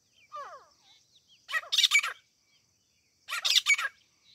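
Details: Grey francolin, locally called teeter or grey partridge, given as a hunting sound: two loud, harsh, rapidly pulsed phrases about two seconds apart, each roughly half a second long, with faint thin chirps from smaller birds before them.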